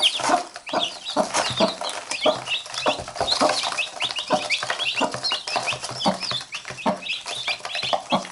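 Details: A hen with a brood of chicks that bite her, and she pecks back at them. Steady chorus of high, rapid chick cheeps over occasional softer low clucking from the hen.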